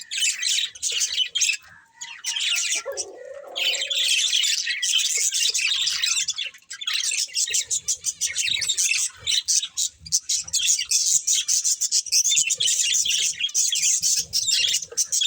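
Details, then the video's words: Budgerigars chirping: dense, continuous warbling chatter of scratchy twitters and clicks, with brief pauses and a short lower squawk partway through. "Beautiful Budgies Chirping Sounds"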